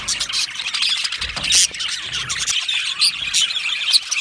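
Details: Colony of Australian budgies in an aviary chirping together: busy high twittering and squeaky chatter with sharper squeals standing out, including a loud burst around halfway, from many overlapping birds.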